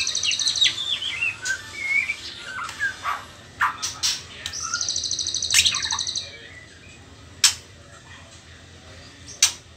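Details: Trotol-stage juvenile white-rumped shama, before pastol, sings a varied run of short whistles and chirps, then a high buzzy pulsed trill, followed by near quiet broken by occasional sharp clicks.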